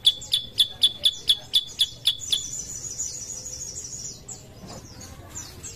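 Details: Sooty-headed bulbul song recorded as a lure to stimulate other birds to sing: a run of sharp repeated high notes about four per second, then a sustained high trilling phrase and scattered whistled notes.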